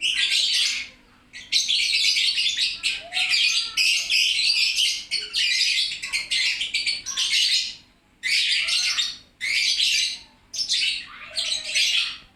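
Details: Noisy lovebird chatter: a long run of rough, shrill twitters and squeaks in choppy bursts of about one second, separated by short gaps, with an occasional soft lower chirp.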